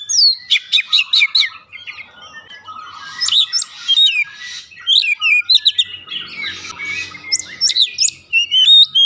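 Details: Oriental magpie-robin song played as a lure for singing: a rapid series of repeated sharp chirps opens, followed by jumbled whistles, buzzy notes and slurred phrases, with a low murmur in the background.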